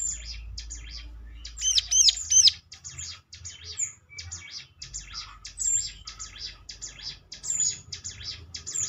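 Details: Prinia song played as a lure so other prinias respond: dense, high, buzzy chirping with a few louder rising whistled notes early on and thin sharp squeaks later.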